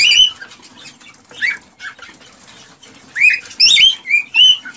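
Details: Cockatiel song played to encourage breeding: sparse warbling whistles early, then a lively run of clear rising and falling whistled notes near the end, over soft background chatter.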